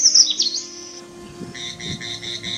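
Indian Robin giving a few quick, high, sharp whistled chirps, followed by a steady run of rapid ringing notes, with faint music underneath.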